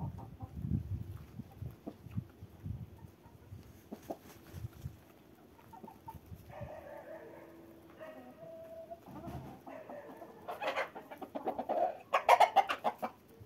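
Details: Cockerels crowing while walking in winter: a drawn-out harmonic crow midway, then louder, harsher calls near the end, with soft thudding footsteps and rustling underneath in the first half.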